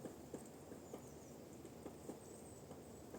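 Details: Woodpecker knocking on a tree in a forest, heard during a walk. Faint, sharp single taps come at uneven gaps, roughly two to three per second, over a steady background hiss.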